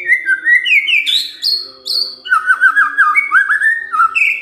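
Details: White-rumped shama giving kretekan fighter-style song meant to make silent shamas answer: a dense run of loud whistled slurs, rising and falling notes, and rapid chattering trills with no pauses.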